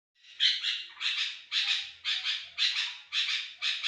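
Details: Sooty-headed bulbul in lively song used as a lure for other bulbuls: harsh, buzzy bursts repeated nearly twice a second, each a broad rasping note, steady and loud against a quiet background.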